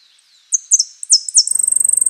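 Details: Saffron finch singing in the prio, golpe y pitada style: a few sharp, high, downward-slurred notes, then a fast, even, buzzy trill at the end.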